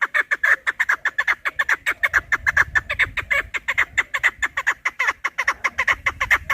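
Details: Chukar partridge calling for hunters: a fast, dense run of harsh clucking notes, about two per second or more, continuing without a break over faint low rumble.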